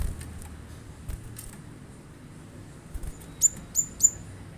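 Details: Cinereous tit, called glatik batu, meant to get a caged bird singing: after soft ticking, three crisp, very high chirps with quick downward sweeps, evenly spaced about a third of a second apart.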